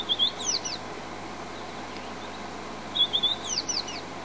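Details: White-browed Scrub-robin, a camouflaged bush bird at Djuma, South Africa, using song to display: two bursts of rapid high whistles and slurred sliding notes about two and a half seconds apart, over low hum and background hiss.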